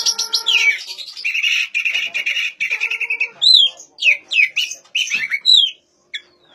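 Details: Oriental magpie-robin song used to encourage quiet birds to sing: a long buzzy trill, then a string of clear arched whistles repeated about once a second.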